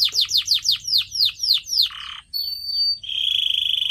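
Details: Pet canary singing in a training recording: eight quick falling whistled syllables in a row, then a brief rasping buzz, a clear sustained whistle and a fast, even rattling trill.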